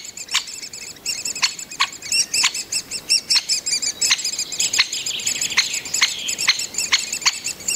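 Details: Great spotted woodpecker nestlings in the nest, fed by a breeding pair at Mønsted Kalkgruber on 30 May 2020, keep up a continuous high, shrill chittering, cut by sharp, clipped 'kik' notes about every half-second.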